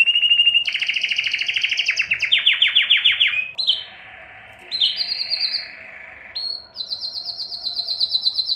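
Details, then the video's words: Canary song, Belgian or Spanish timbrado, offered for training: quick trilled phrases, then a softer, lower buzzy stretch and a climb back into high rapid trills. "canto de canário belga - canto de canario timbrado español - canto do canário belga"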